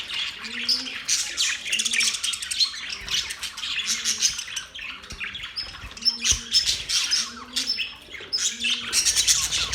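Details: Budgerigars in mating song: dense warbling and squawky chirps, with a low, double-toned hoot repeating at irregular gaps of about one second underneath.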